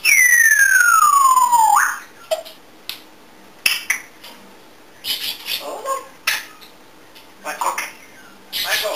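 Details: Pet African grey parrot that mimics many sounds, dances and sings: one long, loud whistle sliding steadily downward for nearly two seconds, then a run of scattered clicks and soft short notes.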